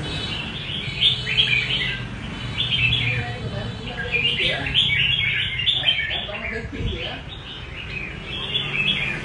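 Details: Rê cầu style song of a red-whiskered bulbul: clear, chattering whistled phrases repeated in bursts of a second or two, with faint voices and a dull hum behind.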